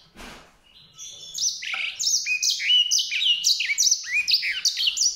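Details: White-rumped seedeater song: after a faint opening note comes a fast, continuous run of sweet, warbling high whistles and twitters that keep going to the end.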